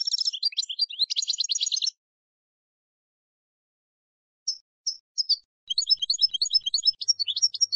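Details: European goldfinch in 'campero' (field) song style, used to teach young decoy and contest goldfinches: a rapid, high, tinkling twitter for two seconds, a silent pause, then scattered short chirps building back into fast jingling twitters.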